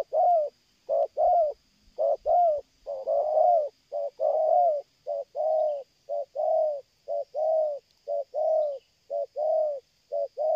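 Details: Loud, nonstop cooing of a spotted dove described as a strong caller coming closer from afar, 'selang gagap' stutter style: brisk short-long coo pairs, some notes doubled, roughly one per second, with brief thumps early on.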